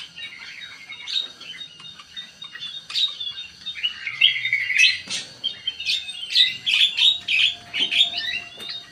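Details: Sooty-headed bulbul song meant to provoke a response: dense, excited chattering of sharp chips and short whistles, growing louder and faster toward the end, over a faint background hum.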